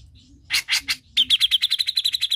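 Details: Cucak jenggot song meant to stimulate another bird to sing: three broad harsh notes followed by a fast, steady series of bright repeated chirps.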